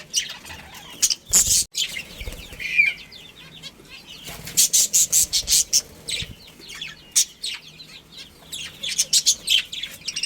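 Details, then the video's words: Budgies from a breeding pair producing loud, clipped, repeated chirps in quick series of short sharp notes, with a brief thump near 1.5 seconds and softer warbling between bursts. "Cute Budgies Chirping Sounds"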